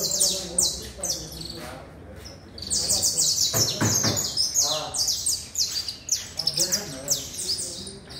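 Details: Saffron finch singing a lively run of high, bright chirping notes, quick and uneven, some slurred downward, with faint low voices murmuring underneath.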